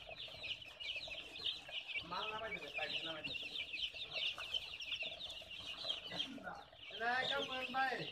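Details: Baby chicks give a steady stream of shrill, quick peeps. Lower, harmonic, warbling calls burst in around the second and seventh seconds, while the high cheeping carries on without pause.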